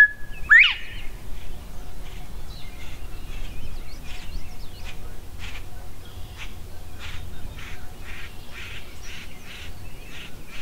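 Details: Northern bobwhite in Goose Lake Prairie State Park, Illinois, opening with one clear level whistle that sweeps sharply upward. Scattered chips and twitters from other birds and soft clicking noises follow.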